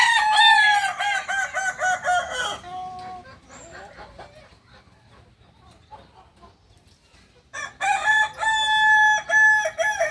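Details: Singing chicken of Solok, West Sumatra, the kukuak balenggek, crowing in pulsed, stuttering bursts for over two seconds, then a quiet gap with faint clucks before a second loud, harmonic crow of rapid repeated syllables.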